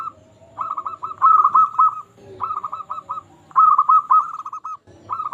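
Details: Singing local zebra dove, meant to stir rivals and get other doves calling. It delivers short, staccato cooing trills in repeated bursts about every second, each a chain of rapid notes.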